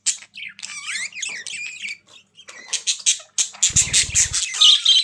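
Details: Budgerigars give rapid squeaky warbling, with bent and rising whistled notes, then a series of sharp chirps over a short low fluttering or rustling sound.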